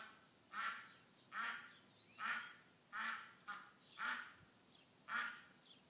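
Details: Lost duck giving loud, harsh, nasal quacks, six calls spaced roughly every second with short pauses between them.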